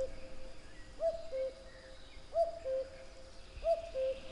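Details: Three evenly spaced cuckoo calls, each a two-part cu-coo stepping down in pitch, clear against a quiet background with faint high bird chirps.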